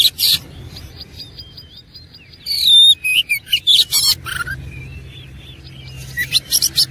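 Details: Oriental magpie-robin in fighting song: scattered harsh bursts, a steady thin whistle, then a dense run of sharp whistles and buzzy notes, quieter stretches between.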